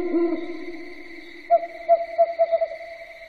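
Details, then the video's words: Night owl: a low hum at first, then a run of hollow hoots that starts spaced out and accelerates to a rapid close-set ending, with a constant high-pitched whine. "SUARA BURUNG HANTU MALAM HARI"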